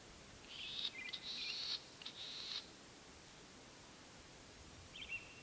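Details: Latham's snipe hidden in the Senjogahara wetland, Oku-Nikko, Japan, recorded 9 May 2020 on spring breeding grounds: a distant run of rasping, buzzy high notes lasting about two seconds, then a brief faint squeak after a pause.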